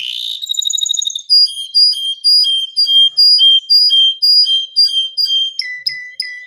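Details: Canary giving a long, continuous gacor song: a fast buzzy trill opens, then loud pure whistled notes repeat in pairs about twice a second, shifting to a lower pitch near the end, with no other sounds.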